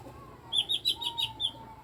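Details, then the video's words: Strange-sounding mini blue-winged leafbird, eight years old, uttering a brisk run of six high, sharp chip notes over a faint lower whistle. "CUCAK IJO MINI BERSUARA ANEH"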